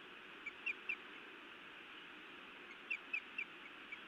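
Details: At a Montana nest on a May evening, a female osprey scolds her mate with two short bursts of three thin, whistled chirps each, separated by a pause, over constant background hiss.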